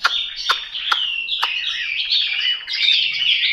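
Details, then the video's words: Chinese hwamei delivering a continuous stream of fluid, slurred whistles that grows fuller and louder toward the end. Several sharp clicks punctuate the opening second. "Họa mi mộc"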